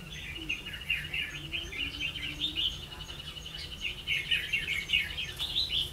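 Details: Red-whiskered bulbul used as a trapping decoy in Vietnam, 16 October 2016, singing a busy, continuous chatter of warbled, chirpy notes, with overlapping calls and a low background hum.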